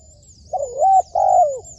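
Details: Trained decoy spotted dove with a close, loud coo: a rising, wavering hoot and then a long, gently falling note, as a new coo begins at the end. Thin high chirping is heard behind.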